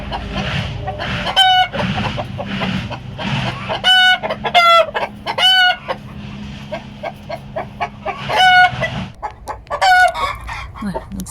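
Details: Farm flock of Bielefelder chickens calling the alert as a hen sings over laying her egg. Steady quick clucking is punctuated by several loud, stretched, harmonic squawks, with a low background hum.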